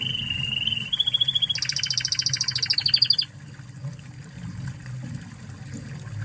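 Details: Spanish Timbrado canary, original Spanish stock, used as a training master: a clear steady trill rising a step, then a loud fast pulsing rattle for about two seconds, followed by quiet with low hum.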